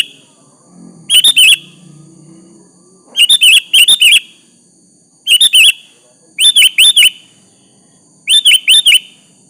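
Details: Sooty-headed bulbul singing to lure a rival into replying: brisk bursts of three to four bubbling whistled notes at irregular one- to two-second intervals, a faint low murmur at the start.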